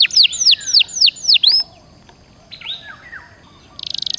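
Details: Canary song used as a prompt for caged birds: five ringing downslurred whistles, then a quiet pause with soft low notes and a short buzzy trill at the end.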